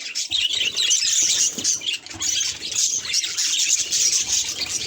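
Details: Pet budgerigar reacting to a mirror, giving a steady, dense stream of high, scratchy chirps and chattering warbles with almost no pauses for about five seconds.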